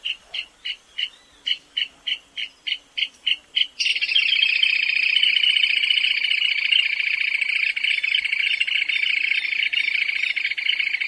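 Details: Small, plump, shy South American rail of drier habitats than other rails, creeping through thickets, scrub and savanna: a stuttering series of separate clicking notes, then a sustained high tinkling trill for the rest of the clip.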